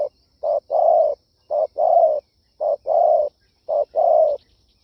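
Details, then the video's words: Spotted dove giving a kích bổi style call, used to lure doves: low, hollow cooing phrases, each a short coo then a longer drawn-out coo, repeated four times in quick succession with brief silent gaps between. "Tiếng chim cu gáy siêu hay chuẩn kích bổi"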